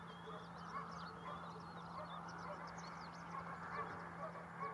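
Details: A flock of greater flamingos (Phoenicopterus roseus) at Barragem da Marateca, Portugal, in November 2022 gives a continuous goose-like honking and gabbling chorus of overlapping calls over a steady low hum.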